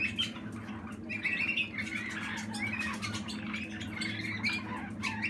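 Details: Young Waterslager canary from 2020, also called Malinois, singing indoors: warbled phrases around the middle register with trills and fluttering notes, over a steady low hum in a small room.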